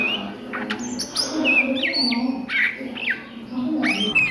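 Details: Oriental magpie-robin at midday singing ngriwik: separate short whistled notes, several quick falling and rising slurs, spaced about half a second apart, with a soft low hum behind.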